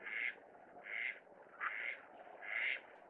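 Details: Greater white-fronted goose from a group of six, two adults leading four subadults south to Kinmen, perhaps wintering or passing through. Four high, nasal, yelping honks, each about a third of a second, repeated roughly every 0.8 seconds over a low murmur.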